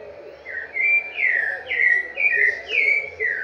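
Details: Rufous-bellied thrush giving its "vovó viu" song, about two mellow whistled notes per second, alternating rising and falling slurs at a steady mid pitch.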